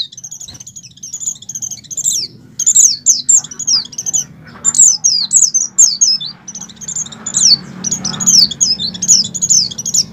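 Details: Breeding-aroused Oriental white-eye delivering ngalas-style song, a lure for captive birds: clusters of bright, squeaky, high twitters in uneven bursts, with a low rumbling hum rising toward the end.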